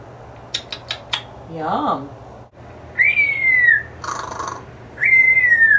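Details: A pet African grey parrot indoors clicks and mutters "Da Bears", then whistles the Chicago Bears fight song in two long, clear, slightly downward-sliding whistles, separated by a short rushing burst.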